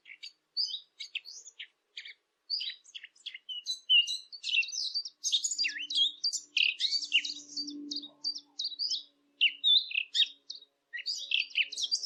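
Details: Quieter, continuous high twittering and chirping from birds throughout, with a soft low hum heard in the background midway.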